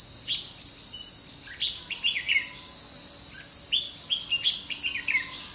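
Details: Decoy red-whiskered bulbul used for trapping, 21 July 2016, gives a few quick chirpy warbles, with clustered sliding notes near the middle and end, against constant shrill insect buzzing.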